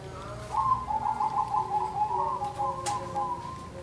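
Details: Zebra doves singing back and forth: a rapid string of soft staccato cooing notes, tightly pulsed and held at a steady mid pitch, with a second bird's lower overlapping notes and a brief click near the end.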